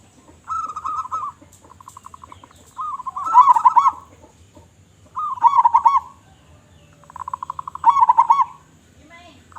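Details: Zebra dove of local stock with a big voice, cooing in rolling, bubbly phrases, each a soft trill then a stronger warbled burst, repeated roughly every two and a half seconds; faint low murmur beneath.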